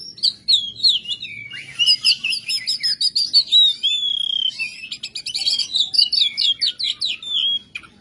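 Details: Oriental magpie-robin (kacer) in full 'gacor' voice with rough 'materi kasar ngebyak' material: loud, fast, varied song of sharp whistles, scratchy buzzes and rapid trilled rattles pouring out almost without pause, with a faint low hum beneath.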